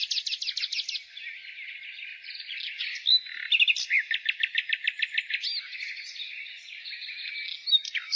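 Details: Spring song of a nightingale: a rapid series of repeated notes, a quieter warbling stretch, then a loud run of evenly spaced pulsed notes, over a steady bed of distant bird chatter.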